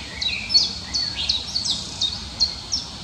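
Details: Eurasian coot accompanied by young at Amsterdamse Bos in the Netherlands; sharp, high, piercing notes slurring downward, repeated irregularly about eight times in three seconds against faint hiss.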